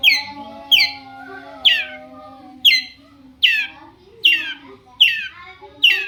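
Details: Long-tailed shrike lure call to get other shrikes calling back: harsh, downward-sweeping rasping notes repeated roughly once per second, steady and loud against a quiet background.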